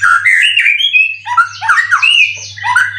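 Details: Caged contest white-rumped shama, three moults old, song material full of cililin; fast tumbling series of slurred whistles and chattering notes, varied and continuous, over a low steady hum.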